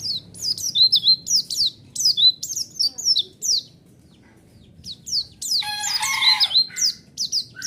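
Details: White-eye song used as a lure to provoke a response: rapid high, thin chirps and descending whistled notes in quick bursts, with a pause midway before a denser twittering run.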